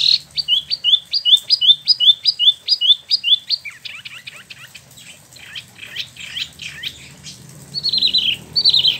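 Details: Ngeroll rolling song of a caged Spot-throated babbler in Bandung, Indonesia, imported from China or Vietnam, a year in care and newly moulted. A rapid run of crisp repeated high notes fades into softer twittering, then ends in buzzy phrases.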